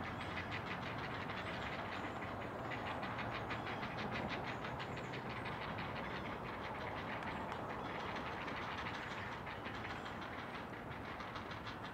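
A passing train rumbles and clatters steadily throughout, with rhythmic wheel clicks and no animal voice heard.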